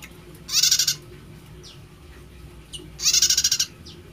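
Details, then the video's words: Prinia singing an unusual song: two short bursts of rapid, buzzy pulsed notes, each about half a second long and a few seconds apart, with faint thin downslurred notes in between. "Prenjak Suaranya Unik"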